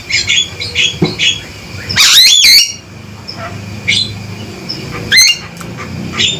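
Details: Male Javan myna calling loudly and sharply: a few harsh, buzzy squawks with rising whistled notes spread over several seconds, between quieter chattering notes and a low background hum.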